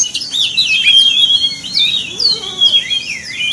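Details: Oriental magpie-robin song used as a lure to provoke any magpie-robin of any type: a rich run of clear whistled notes, slurs and sharp chirps, high and continuous, with fainter lower slurred notes beneath.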